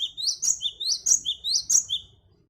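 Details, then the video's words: Great tit singing, a recording meant to lure wild birds: a sharp rising note followed by a higher stressed note, the two-part phrase repeated rapidly about four times in steady rhythm. "Varias Suara Gelatik Batu||Cocok Buat Pancingan Gelatik Batu Bahan"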